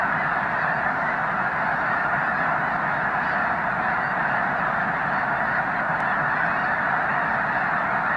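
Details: A vast flock of snow geese at Loess Bluff National Wildlife Refuge during peak migration on 3 March 2021, over 360,000 counted: countless nasal, yelping honks blend into a steady, unbroken roar with no lull.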